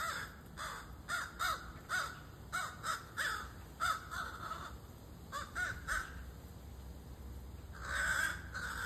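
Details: Young crow chick cawing repeatedly, a rapid series of short hoarse nasal notes in uneven clusters, ending in a longer drawn-out harsh call, with faint background hum.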